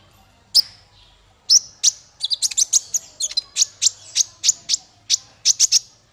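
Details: Male konin (Van Hasselt's sunbird) song: a rapid series of very high, sharp chirps that become a fast, steady run of piercing notes, roughly three to four per second, over a quiet background.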